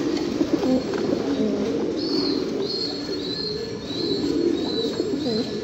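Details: Fancy pigeons cooing: low, soft rolling coos repeat through the clip over a steady background hum, with thin high whistles drifting above from about two seconds on.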